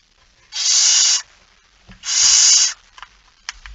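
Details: Barn owl, male arriving with a mouse at 23:55 on 17 September 2019: two drawn-out, breathy rasping hisses about three-quarters of a second each, followed by faint clicks and scratching.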